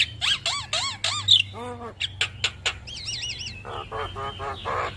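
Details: Javan myna song used as a master recording to train and prompt captive birds to sing: varied harsh squawks, wavering harmonic notes, quick whistled slurs and chattering bursts, over a steady low hum.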